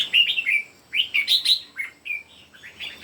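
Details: Three caged red-whiskered bulbuls singing in competition: bright, warbled phrases of quick rising and falling whistles, bursts of several notes separated by short pauses, fairly loud and clean.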